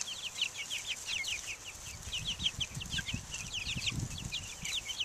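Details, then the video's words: Chicks of three breeds, Buff Orpington, Black Australorp and Americana, out in the open in 2010, peeping in quick bright downward-slurred notes, many at once, with soft low rustling beneath. "Chicks Out Taking the Air"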